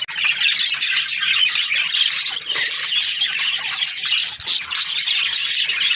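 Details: Breeding pairs of budgerigars twitter and squawk together, a crowded stream of high chirps with scattered short whistled notes.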